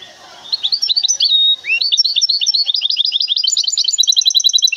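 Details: Goldfinch hybrid from Temara, a large cage bird, sings lively high twitters. A steady held note and a rising slur lead into a dense, rapid jangling run of chirps that carries to the end.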